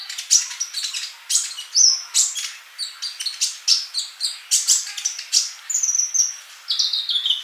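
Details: Actively singing sunbird (kolibri), training recording for kept birds: dense, rapid run of sharp, high-pitched chirps and twittering notes, nearly continuous, with a few brief thin whistles near the end.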